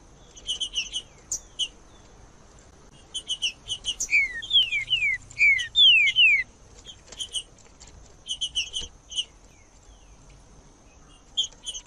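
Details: Green-winged saltator song to warm up a silent bird: clusters of sharp chirps give way to a run of clear, loud whistled notes that slide downward one after another, then the chirp clusters return.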